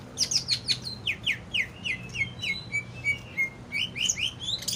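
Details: Song of a greater green leafbird (cucak ijo), a caged bird: quick high notes give way to a series of about ten downslurred whistles repeated roughly three per second, then rising chirps at the end.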